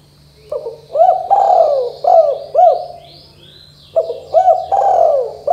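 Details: Spotted dove, 'kuk 2' style call used to get young birds calling quickly: two phrases of hooked low coos and long descending coos, roughly two notes a second, with soft high chirps in the background.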